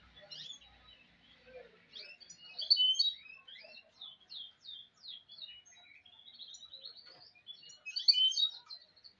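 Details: A goldfinch hybrid delivers a fast, jangling warble of high, tinkling notes and buzzy trills in phrases of several seconds, with quiet gaps and no other sounds.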